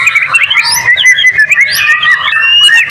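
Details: White-rumped shama song meant to prompt other shamas to sing: a dense, continuous stream of sweet whistled notes and quick slurred phrases, with high thin flourishes layered over a steady warbling line.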